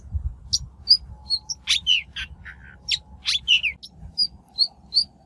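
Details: Shrike lure recording used to trap birds or train newly caught birds' voices. Sharp, scattered chirps and harsh rasping notes come in short bursts with brief pauses, over a faint low hum.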